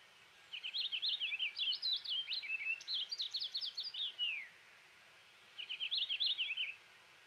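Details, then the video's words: Eastern Purple Finch singing a light, bubbly warble, phrases running together with lots of variation and lacking hard zree sounds; a long rambling run closing with a falling slur, then a brief repeated phrase after a pause. "But it is pretty light and bubbly and doesn't have those hard zree sounds of House Finches. So let me play that."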